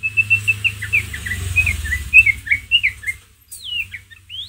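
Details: White-rumped shama in ngeriwik song, played to provoke a pet shama: a rapid chain of short, high chipped notes, roughly evenly spaced, then a few swooping whistles, over a steady low hum.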